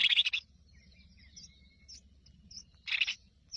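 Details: Hungry newborn Crested Finchbill nestlings fed by the mother in the nest: two short raspy, broad-band begging bursts about three seconds apart, separated by thin high squeaks and faint whistles over a low background rumble.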